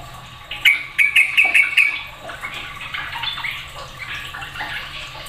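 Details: Sooty-headed bulbul excited among other noisy bulbuls. A series of five quick, clipped notes in under two seconds, then softer overlapping chatter fading out, with a faint hum underneath.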